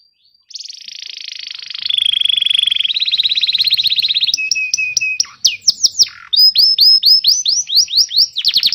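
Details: Canary song used to teach young canaries and wake up birds that have stopped singing: after a brief silence a long buzzy trill, then a lower rattle, scattered swept notes and a run of rising slurred notes.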